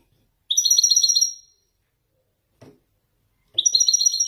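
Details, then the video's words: Wedani-strain European goldfinch from Morocco singing authentic Marrakchi-style descending phrases (nzoulat): bright, buzzy twittering bursts about a second long, rapid trills and chatter, separated by silence, with a faint click between phrases. "حسون ويداني يتفنن بالنزولات المراكشية الأصيلة"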